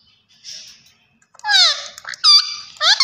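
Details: Green ringneck parrot giving a soft hiss, then a loud cluster of shrill, strongly harmonic notes with falling slides and a flat ringing tone near the end.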